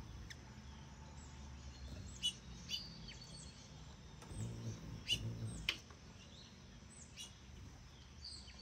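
A hummingbird gives a few sharp, high chips spaced a second or more apart, with faint thin whistles between them over a steady low background rumble.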